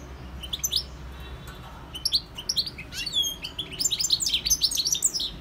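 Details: European goldfinch singing in the wild: a lively, rapid chatter of high twittering notes, chirps and short sliding whistles, growing denser and louder through the second half.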